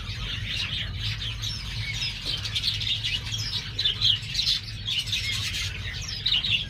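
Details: Captive star finch fledglings, pure-bred and newly left the nest: lively overlapping high chirps, quick slurred whistles and louder bursts of twittering from several birds, over a constant low electrical hum.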